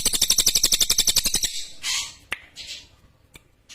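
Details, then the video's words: Lesser green leafbird delivering a fast, even series of about fifteen harsh, buzzy notes over one and a half seconds, followed by scattered hissing noises and clicks. "SUARA CILILIN JERNIH TAJAM !!"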